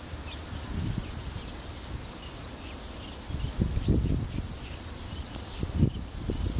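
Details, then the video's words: A prinia gives short, high, ticking bursts roughly every one and a half seconds, thin against a heavy low rumble of wind and handling noise. "Prinia call"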